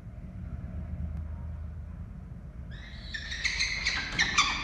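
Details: Peregrine falcons at a nest box in Orange, Australia, on 11 November 2023, as an adult brings a pigeon to the nest: after three seconds of low rumble, a burst of harsh, harmonic, rapidly repeated chattering calls starts and grows louder.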